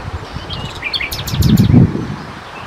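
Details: Common nightingale (Luscinia megarhynchos) among Czech birds: brief song fragment of a few whistled notes, then a quick burst of sharp, high, descending clicks, over heavy low rumble and rustling.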